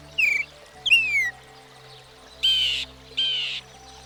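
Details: Varied phrases from a Northern Mockingbird, a mimic of up to 200 sounds: two descending slurred whistles followed by two harsh buzzy bursts, with quiet background music.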